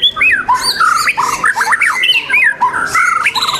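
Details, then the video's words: White-rumped shama singing at a contest, The Legend Murai Batu Nusantara, on 12 December '21: rapid overlapping whistled phrases, slurred rising and falling notes jumping between pitches, with sharp upswept flourishes and several voices blending together. "lomba the legend murai batu nusantara"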